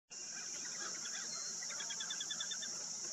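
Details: A Short-billed Dowitcher, recorded close at St. Mary's, Ontario on August 20, 2022, gives a quick run of soft, high, evenly spaced tu-tu-tu notes over a steady high-pitched insect drone.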